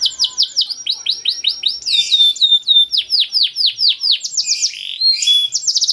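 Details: Long cuit cuit canary masteran, a song recording for training young birds to sing. It gives high descending chirp series, a bright whistled tone, and more rapid swept notes in varied phrases.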